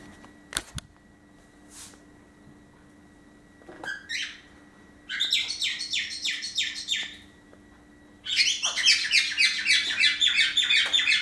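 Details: Pet parrots indoors in the morning, females fussing over a male back from the vet with a bandaged broken wing; after scattered clicks, bursts of rapid, harsh descending chirps come in two long rattling runs.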